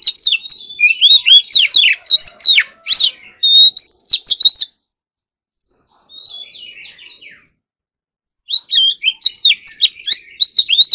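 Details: Oriental magpie-robin practising its song in the morning, dense loud bursts of varied whistles, trills and sharp chips, a softer descending twitter in the middle after a pause, then another energetic burst.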